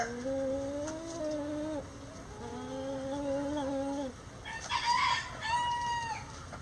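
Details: Chicken flock before dawn leaving the coop: long, level, nasal hen calls held for about two seconds each, then a brief harsh rooster crow breaks in near the end.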